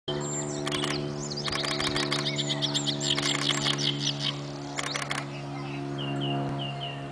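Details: Great reed warbler singing at Straws Bridge, Derbyshire, in loud, harsh, croaking bursts of repeated grating notes, partly drowned by low-flying aircraft hum and a nearby camera shutter; a few thin high whistles from another bird.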